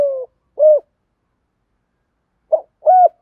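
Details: Spotted dove decoy luring wild doves: the tail of a long falling crooo and a rounded coo, a two-second pause, then a new phrase opening with a short note and an arched coo.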